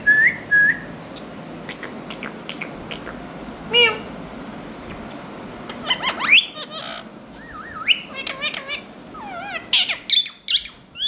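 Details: Indian ringneck parakeet pairs: a pair of high whistled notes opens, followed by scattered sharp squawks, then a dense run of wavering warbled whistles and harsh clicks toward the end.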